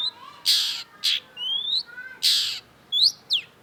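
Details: Cendet, or Long-tailed shrike, in strong song: loud harsh rasping bursts alternate with thin rising whistled slurs and quick high chirps, delivered in brisk, uneven bursts.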